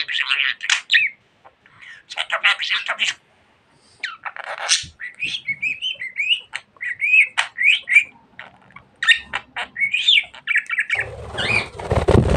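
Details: Chatty pet budgerigar warbling: rapid scratchy syllables interleaved with looping whistled notes, a short silent stretch early on, and a burst of broadband rustling noise near the end.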